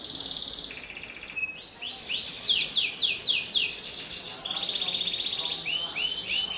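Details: Canary in vigorous song as a lure for juvenile canaries: buzzy trills, a cascade of swept whistled notes, then longer rolling trills and short rising chirps at the end.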